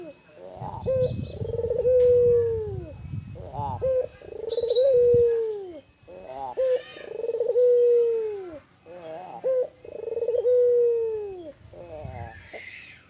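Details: Tame albino ringneck dove cooing in a hot place: a series of low, smooth coos, each ending in a long drawn-out falling note, repeated about every two to three seconds, with short rough notes between them.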